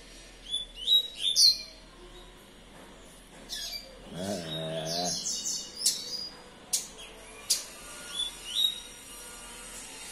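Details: A caged Double-collared seedeater, a young son of a singing male, eager to compete in a song contest, giving sharp, high whistled notes and chirps in uneven bursts, with a brief low voice-like sound midway.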